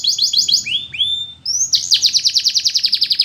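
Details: Russian canary flute singing for training: a few chirps and two long rising whistles, then a loud, steady trill of bright repeated notes about seven per second.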